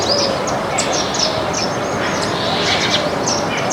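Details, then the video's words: Baya weavers in a flock feeding on grains in a backyard, giving a busy run of sharp, high twittering chirps that overlap one another, set against constant rushing background noise. "Baya weavers sound"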